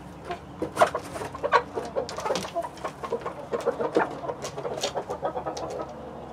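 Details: Backyard flock of hens (Light Brahma, Barred Plymouth Rock, White Leghorn among them) with a Rhode Island Red rooster, on a live stream; short, dry clucks tumble irregularly, several birds overlapping at a steady, busy pace.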